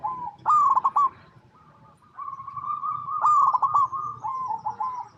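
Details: Local Indonesian zebra dove singing, a recording used as a lure to set other zebra doves calling: mellow rolling coos with a quick stuttering burst of notes, then a long, level trilled phrase, repeated twice.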